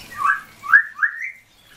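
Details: Common hill myna calling its friend by name: three clear whistled, rising notes in quick succession, the last one longer and sliding upward, with a quiet background.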